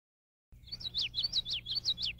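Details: A male common yellowthroat, foraging in Illinois in May 2019, sings a quick run of high, slurred, down-sweeping notes in repeated two- and three-note phrases over a faint low hum.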